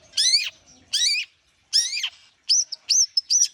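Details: Long-tailed shrike (cendet) warming up with three loud, grating downslurred notes followed by a quick run of high, clipped whistles.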